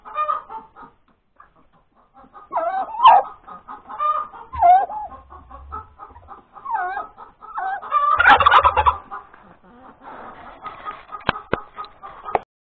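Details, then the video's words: Laying hen cackling after producing an egg, Sunday morning, 31 January 2021: a long, uneven series of clucks and wavering squawks, swelling into a loud burst midway, with some clicks and low thumps. "the crowing of the hen that lays the egg"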